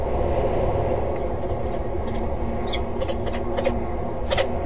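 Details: During a midday flight show on 5 February 2013, a peregrine falcon circles and dives around a water tower in Axel. Scattered short, rasping notes come in quick uneven series beneath constant low rumbling background noise.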